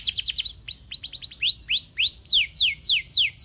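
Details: Canary song used to set other canaries singing: rapid series of descending whistled notes, then longer slurred, rising-and-falling whistles repeated about three per second, bright and clear.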